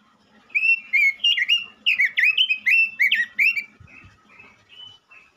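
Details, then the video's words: Energetic male robin in full song as a lure for other robins: a continuous rapid sequence of loud, rich whistled slurs, some rising and dipping, fading into softer notes with a brief low thump. "pancingan burung robin jantan gacor"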